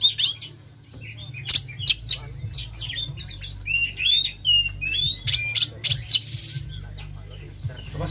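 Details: Caged Oriental magpie-robin in full song as a lure for other birds: clear gliding whistles mixed with sharp clicks and chattering notes, separated by short pauses, over a constant low mechanical hum.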